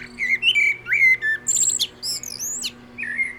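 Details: Wild common blackbird song: mellow whistled notes sliding up and down, followed by thin high chattering twitters and a short fluty ending, with a low steady hum underneath.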